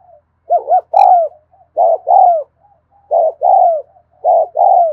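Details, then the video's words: Spotted dove recorded in the afternoon, cooing in the continuous 'thúc gù' style: low hooting phrases of a quick double note followed by a longer downward-sliding coo, repeated about every second, with faint soft notes between. "tiếng cu thúc gù hay và liên tục"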